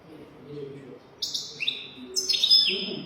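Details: 'Golden throat' song of a European goldfinch, played for teaching young goldfinches. Short high buzzy bursts alternate with falling whistled notes, over a faint low murmur in the background.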